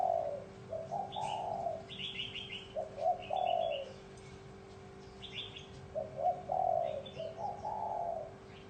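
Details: Spotted dove cooing in the bronze-bell style to lure wild birds and stir up males and females; low, hollow coo phrases come at intervals, mixed with bright twittering chirps from small birds and a steady hum.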